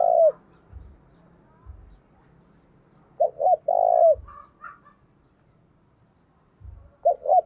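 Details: Decoy spotted dove calling to lure wild doves: the end of one phrase, a full cooing phrase with a long burred note, and a third starting, with low thumps and brief higher chirps between.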